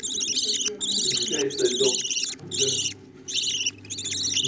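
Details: Budgerigar chicks fed by parents utter harsh, nasal, high-pitched wheezing calls in regular-seeming bursts with clear silent gaps, plus a faint low murmuring underneath.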